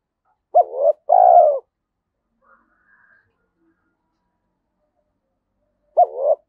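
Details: Low two-part coo of a spotted dove, thổ Thúc Đấu voice suited to the forest when trapping: a short quavering note and a longer falling coo, a few faint soft notes, then the next phrase begins after about five seconds.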